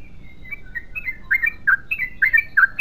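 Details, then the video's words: Yellow-vented bulbul starting its 'ropel panjang' long continuous song: soft opening notes build into louder, rich, down-slurred bubbling phrases in a quickening run. "BURUNG TRUCUKAN GACOR ROPEL PANJANG"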